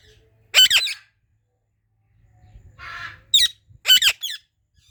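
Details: Ringneck parrot giving loud harsh double squawks, with a hissy rasping note and rustling between the calls.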